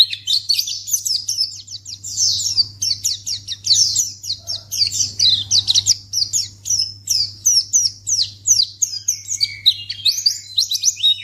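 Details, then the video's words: White-eye (pleci) chatter meant to make other white-eyes respond at once: a long, unbroken series of rapid, high, down-slurred chirps and twitters that keeps its pace throughout, with a continuous low hum beneath. "Pleci Akan Langsung Merespon Memancing Bunyi Burung Pleci"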